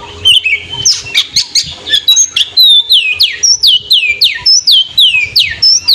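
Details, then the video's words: Oriental magpie-robin singing in the afternoon to provoke rivals, used as therapy for young birds and birds that have lost morale: a few varied chips, then loud sliding whistles falling from high to lower pitch, repeated about twice a second. "SUARA KACER SORE HARI MEMANCING MEMANCING EMOSI MUSUH, TERAPI KACER BAKALAN DAN YANG DROP MENTAL"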